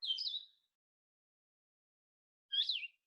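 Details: Blue-headed Vireo, a spring migrant in South Carolina, singing two sweet, slurred, crystal-clear phrases about two seconds apart, each a short warbled rise and fall; a slow, deliberate 'vireo' song, slower than the Red-eyed Vireo's.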